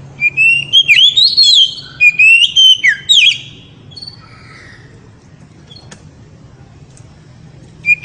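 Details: Loud ngeriwik song of an oriental magpie-robin meant to stir a female: a quick series of clear, wavering whistled phrases for about three seconds, then softer scattered notes and a final short whistle.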